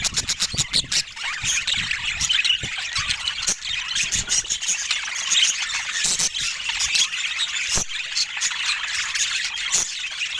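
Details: Busy chatter of pet budgerigars, with shrill squawks and rapid twittering notes layered over one another, and sharp clicks and taps scattered throughout.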